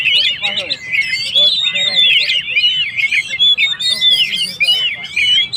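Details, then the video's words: Oriental magpie-robin singing actively, a recording used to provoke and rouse stressed birds: fast, varied whistled phrases with sharp rising and falling notes, sweeping slides and chattering bursts, packed densely without pause. "suara burung Kacer gacor// naikan emosi//pancingan burung stress"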